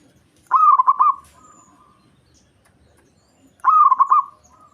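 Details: Local zebra dove in breeding condition, its song used to provoke rivals and lure the opposite sex; two rolling, pulsed coo phrases about three seconds apart, each a quick run of about four throbbing notes, quiet background.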